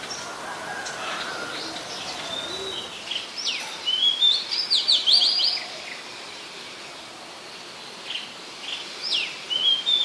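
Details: Oriental magpie-robin, a very common resident bird, singing in Ubon Ratchathani, Thailand, on 27 December 2020: quick sweeping whistles and a rapid burst of high chipping notes, then a quieter pause before further upslurred whistles, light background noise.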